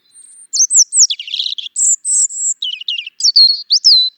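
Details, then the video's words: European robin song of varied high notes: thin sliding whistles, a buzzy scratchy patch, long pure tones, and quick trickling twitters ending in falling slurs. "European Robin - Songs"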